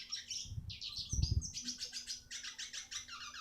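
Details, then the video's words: Eurasian siskin song meant as training for other birds: quick twitters leading into a drawn buzzy note and a rhythmic series of repeated chirping phrases, with a brief low thud partway through. "masteran burung retsiskin"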